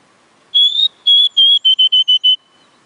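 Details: Oriental magpie-robin song of pure, steady whistles: a long slightly rising note, two held tones, then five short evenly spaced notes at one pitch, clean with a low background hum.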